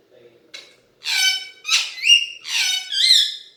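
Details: Alexandrine parakeet kept as a talking pet, speaking Hindi, gives a faint click, then four loud raspy speech-like syllables, some ending in upward whistled inflections.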